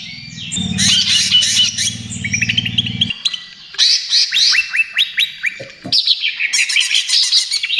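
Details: Greater green leafbird (cucak ijo) trotol song played as lure and therapy: opening stretch of harsh chatter over a low steady hum, then clear runs of quick rising chirps and high trills.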